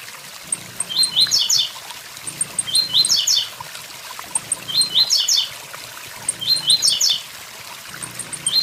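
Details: Blue-black grassquit (tiziu) near a waterfall giving its tui tui zel zel song: four short buzzy zigzag phrases at regular two-second gaps, tiny high ticking notes before each, and a constant roar of water.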